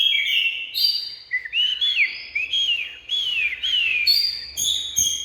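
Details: Oriental magpie-robin song: a fluid run of clear whistles, several sliding down in pitch one after another, framed by sharp high chirps at start and end.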